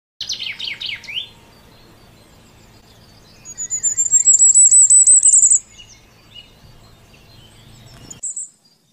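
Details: Common firecrest delivering a very high, thin, rapid run of notes lasting about two seconds and rising slightly in pitch, preceded by a few lower chirpy notes and followed by one more high squeak.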